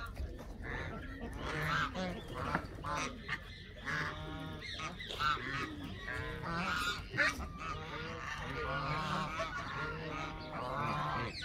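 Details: Many Canada geese honking together: a continuous clamour of loud, rough, nasal calls rising and falling in irregular waves.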